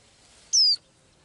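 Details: A single short, piercing whistle sliding down in pitch, from a little blue-eyed bird that sings daily; the background is otherwise quiet.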